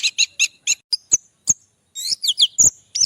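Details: Orange-headed thrush kept in a cage in Java, recorded on an Android phone, gives a quick run of very high chattering notes about every quarter second, then a dense twittering phrase with thin slurred whistles.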